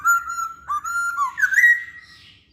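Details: Masked laughingthrush, actively singing to lure other birds: sustained, level whistles broken by brief dips, then a rising, bending whistle that trails off.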